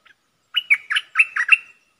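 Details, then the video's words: Decoy bulbul singing, 22 August 2021. A tight phrase of five or six rich, gurgling whistled notes is delivered rapidly in about one second, with a clean background. "เสียงนกดอกแตงEp.73 นกต่อสายโหด(เจ้ามณี) Suara merbah lekir gacor"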